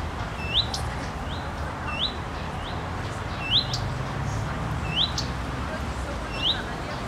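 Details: Female common redstart on a swaying branch, wagging her tail, repeating her characteristic call: a short rising whistle then clicking 'tik' notes, about once per second, with a low background rumble.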